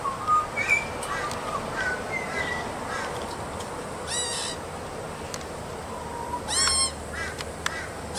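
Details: A baby Australian magpie, yelling, singing and eating, gives harsh, ragged, stacked squawks between softer warbled notes, with a steady hiss of background noise.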